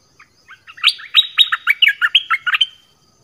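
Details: Bird song used to teach young birds and lure wild ones: a single phrase that begins with soft, scattered notes and builds into a rapid run of loud, rich chirping whistles.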